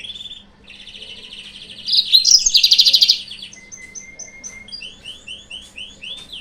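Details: Song of a yellow-fronted canary played as a lure to provoke rivals: a fast buzzy trill builds into a loud rattling burst, then a thin level whistle and a run of repeated downslurred chips.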